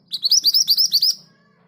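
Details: Scarlet minivet (mantenan gunung), Pericrocotus flammeus, a kept bird singing readily, its rolling 'ngerol' song at a steady speed: about eight high, thin, upward-slurred whistled notes in quick succession over one second, then silence.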